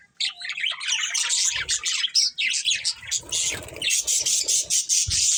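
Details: Budgies, colourful pet birds, chattering nonstop after a brief silent start; rapid high chirps and raspy warbles pile up, with occasional faint low knocks beneath.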